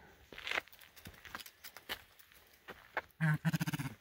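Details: Territorial male blue grouse attacking a passing hiker on the Skookumchuck Trail forest path: after rustling and footsteps, a loud low hoot runs into about eight fast, fading deep pulses.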